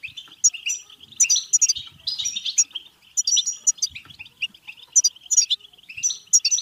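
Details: Bitbita-style European goldfinch song meant to urge goldfinches into singing and mating: fast, liquid twitter packed with sharp chirps and bright ringing notes, delivered in bursts separated by brief dips, with soft low knocks beneath.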